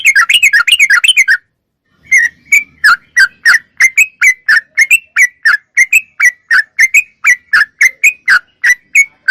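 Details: Lively sooty-headed bulbul song in clean recording: a dense rapid burst of warbled notes, a short silence, then a steady string of clipped, sharply slurred whistles repeated several times each second.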